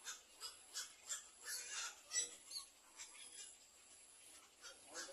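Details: Little egret back at its nest tending four chicks; harsh, rasping broadband bursts come in an uneven series, almost three per second, with brief louder peaks and a faint steady high hiss behind.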